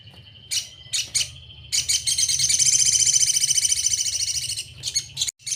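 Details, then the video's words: Crimson sunbird (sogon) tutor song: a few spaced sharp chips, then a sustained high, rapidly pulsing buzzy trill of about three seconds, ending with more separate chips; low hum behind. "Masteran sogon sejalur paling mudah diingat || Suara asli sogon"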